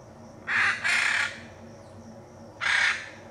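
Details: Hyacinth macaw, Pantanal, Brazil: a quick double squawk, the second longer and rasping, then a pause and one more harsh drawn-out call, with low hum behind.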